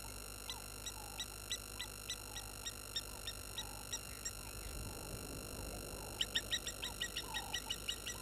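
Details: Water thick-knees, disturbed by an approaching baboon at a waterhole in Djuma Game Reserve, Sabi Sand, South Africa, 16:50, 11/03/21, from a live camera: evenly spaced thin piping notes about three per second, growing louder near the end, over constant hum.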